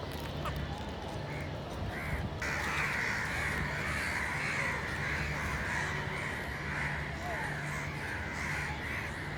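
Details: Dense, overlapping crow cawing swells in after a short quieter opening, a continuous harsh chorus of rapid calls over a low mechanical hum.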